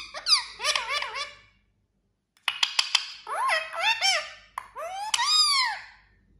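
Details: Talking parrot producing high, squeaky voice-like phrases with wavering, bending pitch, two bursts separated by a second of silence, then a final long rising-and-falling squawky phrase; no other sounds.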